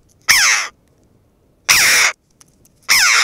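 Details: Red-billed choughs, a noisy, curious group on the western Asturian coast of Spain, crowding round a camera hide. Three harsh, raucous calls, each about half a second long, with falling buzzy tones, spaced more than a second apart.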